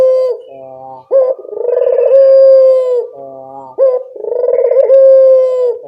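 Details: Lure sound of a local Barbary dove for getting other doves to respond: two low phrases, each a brief upswept note, a vibrating rolling coo and a long level hoot, with quieter murmurs between them.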